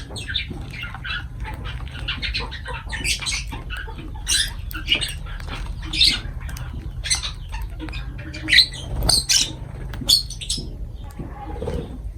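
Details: Lovebirds calling as they eat, a long run of scattered sharp chirps and harsh squeaks with occasional louder piercing notes, over steady low background hum and rustling.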